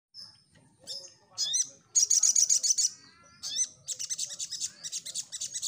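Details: Crimson Sunbird singing energetically, played as a lure to draw a response from other birds: very high, thin chirps and upslurred notes, then dense buzzy trills of rapid pulses around two to five seconds.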